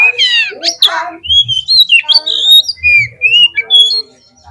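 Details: White-rumped shama song used as a lure to make a bird sing: harsh, raspy opening notes followed by flowing whistled phrases with rising and falling slurs, with soft low thumps underneath.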